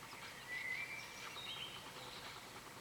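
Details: Birds singing at dawn: thin, high whistled notes, one drawn out and gently rising, with softer faint chirps behind a steady background hiss.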